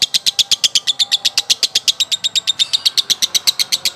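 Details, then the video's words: Male lovebird giving a long song: a rapid, very regular train of sharp high chips, about four per second, each pulse bright and buzzy, sustained without pause through the whole stretch. "lovebrird jantan konslet durasi panjang"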